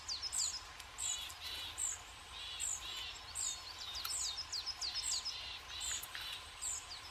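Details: Winter forest feeder with sunflower seeds, busy with tits: high, thin notes repeated roughly every second, mixed with softer, buzzy twitters and brief chips from several birds.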